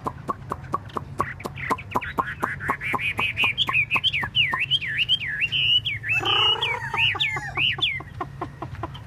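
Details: Chinese hwamei doing its tail dance, opening with steady sharp clicks that merge into a fast zigzag series of whistled notes, broken by a harsh buzzy burst.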